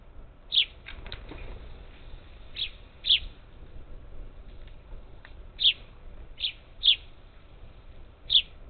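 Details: At a Houston-area Gulf Coast bird feeder, 27 July 2021, parakeets give brief high-pitched chirps, single or in quick pairs, separated by pauses of one to two seconds against a quiet backdrop.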